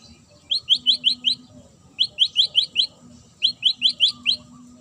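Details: Magpie-robin song intended to trigger responses from other birds: three quick bursts of five or six sharp high ticking notes, each burst about 1.5 seconds apart.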